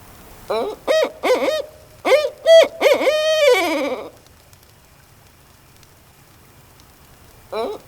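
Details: Barred owl recorded in the wild gives a rhythmic 'who cooks for you' run of about eight hoots, the last sliding down into a drawn-out 'aw'; a further hoot starts near the end, then cuts off.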